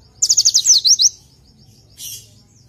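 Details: Oriental white-eye tutor song. A single brief phrase of about eight quick, high, descending notes is followed by a short, soft, hissy high sound.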